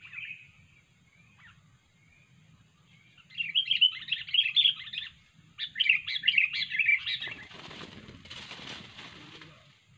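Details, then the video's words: Sooty-headed bulbul song used as a lure for trapping: after near silence, bursts of rapid, chattering, bubbly notes in two phrases, then fading into a noisy hiss with low rumbling throughout. "kutilang super ganas dan gacor"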